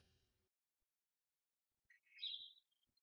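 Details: A nest-building Eurasian magpie (Pica pica) in spring gives one squeaky, slightly harsh call lasting about half a second. Its mate is probably nearby but does not appear. Otherwise the setting is quiet, with only a faint rustle at the start.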